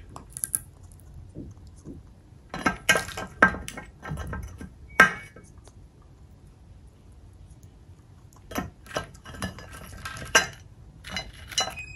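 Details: Sharp clinks and scraping clatter like dishes and cutlery, in scattered bursts in a quiet room, with no animal voice heard.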